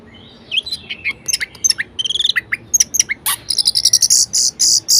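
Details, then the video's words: Varied, energetic song of an Orange-headed thrush, used to spur idle thrushes to sing: quick jumbled whistles and chirps building into a fast stream of very high, bright repeated notes. "Anis Merah Gacor Variasi Bangkitkan Emosi Anis Malas Bunyi Agar Rajin Berkicau"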